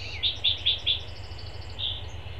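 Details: Long-eared owlets flexing their wings on a live nest cam give four quick, high, squeaky notes about a fifth of a second apart, then one more after a pause, over a low steady hum.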